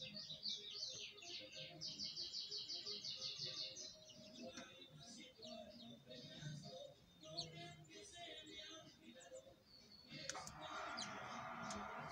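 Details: House finch with nestlings about to leave the nest while a new nest is readied for the next brood, 2020: dense rapid high chirps and buzzy trills, then a rushing broadband noise near the end.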